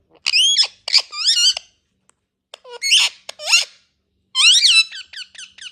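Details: Indian ringneck parakeets making talking and natural sounds: loud screechy, speech-like phrases of bending notes, a pause, then more squawks ending in a quick series of short clipped chirps.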